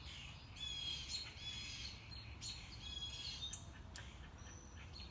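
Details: Mockingbird singing on a morning walk, bird never seen: dense run of repeated, slurred high notes and buzzy trills, phrases changing every second or so, over steady faint background hiss.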